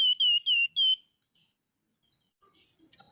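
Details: Scaly-breasted munia chattering busily in 'nyerecet' style: four loud, clear, downward-bending whistled notes in quick succession within one second, followed by near silence and a few faint high chirps.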